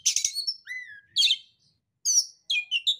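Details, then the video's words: Oriental magpie-robin singing as a lure for a stressed or silent bird: a burst of harsh rasping notes, a clear rising whistle, a pause, then short scratchy phrases. "pancingan kacer terampuh kacer macet, kacer setres langsung nyaut"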